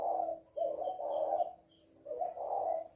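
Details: Captive female decoy spotted dove giving soft, rounded coos close to the microphone, one brief note then a longer run of two or three joined coos, a pause, then another double coo; faint high chirps behind.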